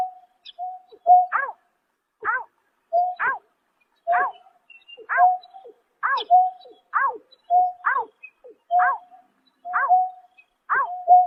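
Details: Greater painted-snipe calling at night in March 2024. Level hollow hoots, each followed by a sharper arched note, run in a long, fairly regular series about a second apart in silence.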